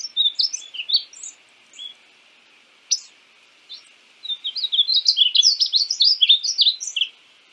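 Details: Painted bunting singing: scattered thin chips at first, then a fast run of bright, high warbling notes tumbling up and down toward the end; quiet otherwise.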